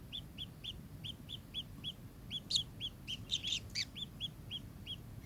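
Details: Kingfisher giving a series of short, sharp, downslurred notes about every half second, with a brief burst of louder, harsher overlapping calls midway; low hum in the background.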